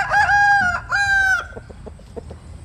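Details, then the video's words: Early-morning crowing by a chicken basking in the sun; two clear, tonal, drawn-out notes with rich harmonics, each falling slightly at the end, followed by soft scattered clucks. "Tiếng Gáy Lúc Tinh Sương. Gà Phơi Nắng Sáng"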